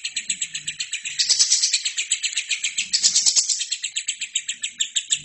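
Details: Lovebird singing to train other birds: a high, pulsed, buzzy chatter broken by two louder, denser scratchy bursts, each about a second long, then continuing in steady ringing pulses.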